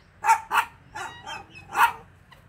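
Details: Guineafowl giving harsh, grating calls: two loud rasping bursts close together, two softer notes, then another loud burst near the end, each rough and broadband with strong overtones.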